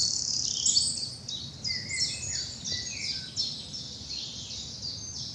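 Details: Early morning spring birdsong in bluebell woods in the South of England, dappled sunlight: a mixed chorus of high thin chirps and twittering phrases, one bird's short whistled notes lower down, soft low rumble underneath.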